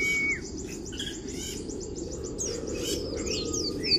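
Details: Kriwik song of an Oriental white-eye used to stir up rival birds: a short flat whistle opens, followed by faint, thin, high twittering notes in scattered bursts, with a constant low background rumble.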